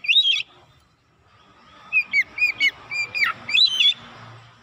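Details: Lure song of an oriental magpie-robin, used to provoke other magpie-robins to sing hard and show off their copied repertoire. A loud warbled opening is followed by a string of short, evenly spaced whistled chips and a final bright, twisting flourish.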